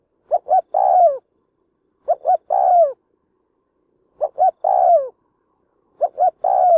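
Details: Decoy spotted dove giving its 'lụp' coo to provoke wild doves for trapping: two short clipped notes, then a longer falling coo, repeated about every two seconds in quiet surroundings.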